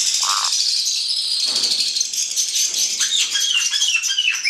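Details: Hand-reared male black-headed caique producing a continuous buzzy, rattling chatter, high and grating, held steadily for several seconds with a few short lower squeaks mixed in.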